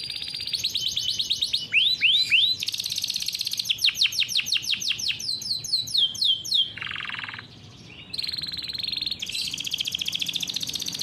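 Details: Captive canary in vigorous rolling song used as a model for young canaries: rapid high trills, three looping swoops, chattering descending series, a lower rasping burst and short pause, then renewed high buzzy rolls.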